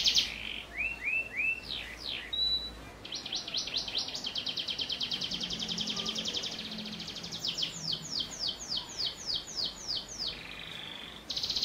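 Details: Singing canary whose song includes prinia-style phrases, played as a master for young canaries. Rising chirps and a brief whistle lead into an extended fast trill, then a cascade of repeated downward-slurred notes and a closing buzzy burst.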